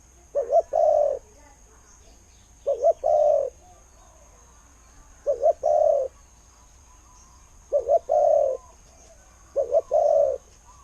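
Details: A decoy spotted dove repeats its "ku-ang" coo five times: each phrase is two short clipped notes followed by a longer, steady, mellow coo, given at regular intervals over quiet background.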